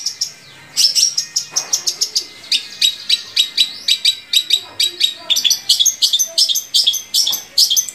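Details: Long-tailed shrike song to stimulate captive shrikes: a steady stream of sharp high chips and clicks, roughly three per second, with faint background sounds.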